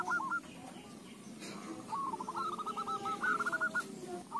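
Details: Zebra dove singing, played to coax other doves into song; a rolling, stuttering series of short coos rises out of steady background hiss and rumble, starting slow and quickening.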